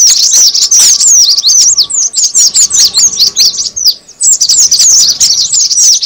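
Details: High-pitched cinereous tit chatter for luring: quick downward-slurred tweets in dense clusters, a short gap near the fourth second, then a further run of chirps.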